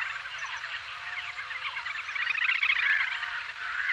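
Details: Little grebe giving a dense, rapid trilling call, many quick pulses run together and swell in loudness toward the end, with a steady faint background hiss.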